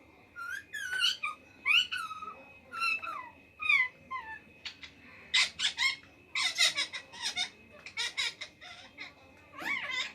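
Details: Ring-necked parakeet talking rapidly: a stream of shrill mimicked speech-like phrases and squawky syllables in bursts, indoors, with a faint steady hum behind.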